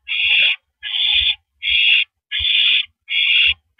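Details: Owl sitting on a porch perch on the evening of April 9, 2012, at 8:17 PM, giving harsh, raspy hissing bursts about half a second long, repeated roughly every 0.7 seconds, with faint low thumps beneath.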